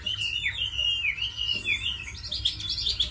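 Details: Chinese hwamei, tame and described as fighting well and singing well, giving looping, slurred whistles in swooping phrases, ending in a burst of sharper, higher repeated notes, over a low hum.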